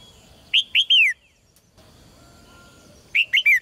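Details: Red-whiskered bulbul kept in a cage, its song used to stir males into strong singing: two bursts of three rich whistled notes, the last one drawn out and falling, separated by a pause of about two seconds.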